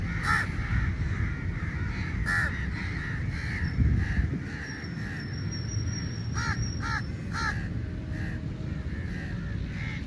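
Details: Crows crowding in numbers to feed; scattered harsh caws from several birds, with a tight pair of calls near the middle, over heavy low rumbling noise.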